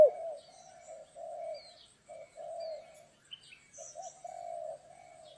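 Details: Spotted dove heard while trapping in stormy rain, giving drawn-out, softer mellow coos, each lasting close to half a second, in an uneven sequence with brief gaps, plus faint thin chirps of other birds above.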